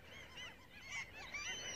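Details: Several gulls call over one another on an early Easter-break morning in southern Sweden (Skåne/Blekinge), with nasal, squealing, arched cries, some rising then falling, in a busy overlapping chorus over a faint low rumble.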